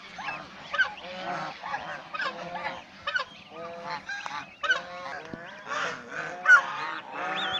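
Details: Domestic swan geese in a group, playing, bathing, resting and fighting, giving a busy stream of harsh honks and clattering calls, some sharp and short, others drawn out.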